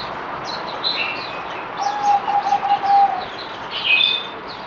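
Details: Merbok zebra dove on the fourth deworming day, 17 April 2020. It gives a fast, bubbling series of low coo pulses lasting over a second, while other small birds chirp and whistle higher above.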